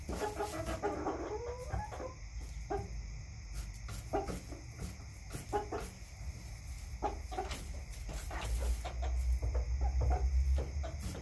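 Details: Backyard chickens cluck with a rising warble at the start, then sparse short clucks, while a loud low rumble builds toward the end.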